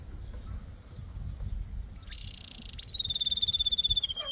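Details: Canary song: faint thin whistle at first, then a loud buzzy rolled burst followed by a long, steady, rapidly pulsed whistled trill slowly dropping in pitch; soft low background noise.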